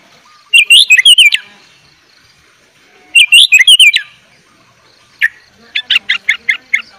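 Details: Sooty-headed bulbul singing energetically with fill-in phrases, used to tutor young bulbuls: two loud bursts of quick, wavering whistled notes about two seconds apart, then a looser run of short chirps near the end.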